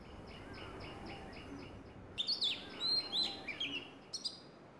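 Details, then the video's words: Oriental magpie-robin calling spiritedly in the Sundarban mangrove forest while rhesus macaques play in a tree: soft, evenly repeated high notes at first, then a loud burst of sharp, varied whistled phrases over a steady background hiss. "Magpie Robin calls spiritedly"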